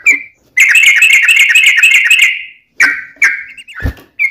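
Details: Trucukan (yellow-vented bulbul) long 'ropel' fighting song: a two-second rattling chatter, then separate slurred chirps, interrupted by a sharp low knock.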